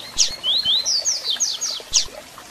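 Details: Close Double-collared seedeater song phrase for stirring up a captive bird: a sharp chip, then a fluid string of high slurred whistles rising and falling, ending with another sharp chip, soft clicks below.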